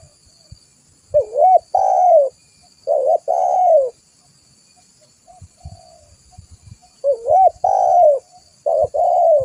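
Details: Lively spotted dove cooing, used as a lure, with four phrases each pairing a quavering short coo and a longer descending one, over a constant high-pitched buzzing drone and soft low knocks.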